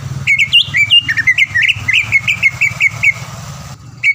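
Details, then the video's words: Caged greater green leafbird from Palembang, a contest-winning singer, producing quick bouncing whistled notes in a steady series, with constant low rumbling noise behind. "MASTERAN CUCAK IJO GACOR SPEK JUARA DENGAN ISIAN ISTIMEWAH NEMBAK PEDAS DAN RAPAT"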